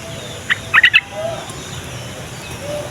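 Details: Yellow-vented bulbul song, played to coax young or silent bulbuls into answering: one short burst of four quick bubbly chirped notes, then quiet background hiss with faint low hum.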